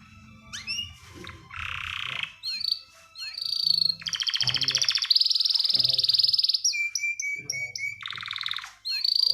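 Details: Male canary calling to a female, ready to mate: loud varied song mixing bright whistles, fast buzzy trills and rapid repeated chirps, with steady rattling rolls in the middle.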